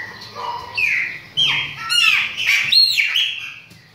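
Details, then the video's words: Short, lively chopi blackbird phrase made of clear whistled slurs, a sudden rising and falling series of notes, and arched squeaky tones that taper off into quiet. "CANTO DE PÁSSARO PRETO"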